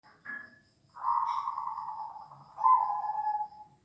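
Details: Zebra dove voice, played to train a caged dove's confidence: a short high note, then long, low, purring, trilled coos, the second starting strongly and fading away.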